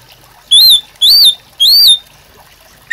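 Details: White-rumped shama, gacor, used as master song for training captive birds: three high, clear arched whistles, each rising then falling, spaced about half a second apart.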